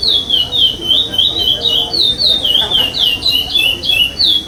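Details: Chestnut-bellied seed finch singing in a state competition, pardo song without repetition; loud, pure whistled glides rising and falling, strung together without pause over about four seconds, some quiet voices behind.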